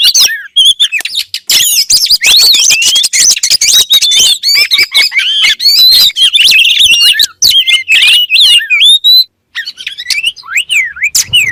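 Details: Long, dense outpouring from an oriental magpie-robin, known locally as kacer, used to make other kacer start singing; continuous jumble of whistles, trills, rasping notes and mimicked-sounding chips, briefly pausing near the end.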